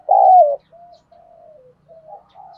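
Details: Spotted dove giving a single strong, throaty coo in the thúc đấu đồng pha style, used to rouse a decoy bird, followed by a string of faint, soft drawn-out notes.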